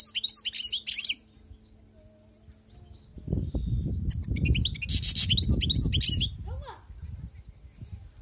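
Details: A wild-caught European goldfinch sings two outbursts of rapid, high twittering and buzzy notes. Low rumbling background noise comes in during the second half.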